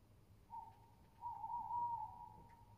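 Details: Tawny owl recorded on 22 July 2020, giving a long, steady, mid-pitched hoot-like note that breaks briefly and then continues level for about a second, over a low background rumble.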